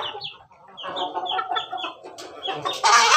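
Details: Red laughing chicken (Ayam Ketawa) rooster on its cage, melodious crow: a quick series of short, falling, chuckling notes, about five per second, like laughter, ending in a loud, harsh burst.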